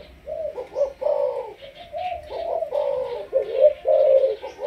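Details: Malaysian spotted dove kept for decoy training, with 'sấm thổ' calling, producing a chain of low mellow coos in grouped phrases, the notes swelling and fading.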